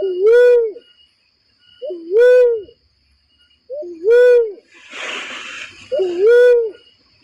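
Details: Barred cuckoo-dove lure call for bird trapping: four deep coos about two seconds apart, each a quick rising note then a rounded, falling hoot, with a brief hissing burst near the end.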